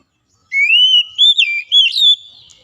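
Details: Oriental magpie-robin (kacer) phrase for reviving a reluctant singer: one unbroken, clear whistled line that swells, dips and wavers through several rising and falling turns, fading out at the end.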